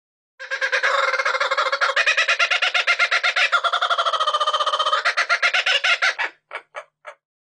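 A kookaburra's raucous laugh: rapid, harsh, cackling notes rolling on for several seconds, then a few spaced hoots.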